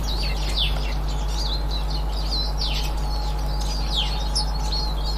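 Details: Eurasian siskins, 18 March 2024, calling with high twittering notes and several strong falling whistles in quick succession, a faint steady tone and low hum running throughout.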